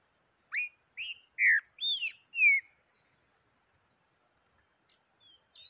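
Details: Yellow-bellied seedeater, taquara rachada song type: five whistled notes, mostly rising then falling slurs, sung over about two seconds, then faint high calls in the background.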